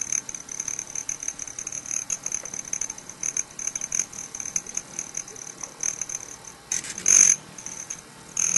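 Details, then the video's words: Broad-tailed Hummingbirds at a sugar-water feeder, fighting: a thin, very high, metallic cricket-like trill from air through a male's tail feathers runs steadily, broken near the end by two louder, sharp squeaky bursts. "Broad-tailed Hummingbirds"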